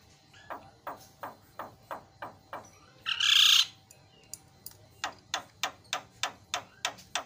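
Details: Starling used as a lure to make other birds call, with a fast run of short sharp notes about every third of a second, broken by one loud rasping burst, then the even notes resume.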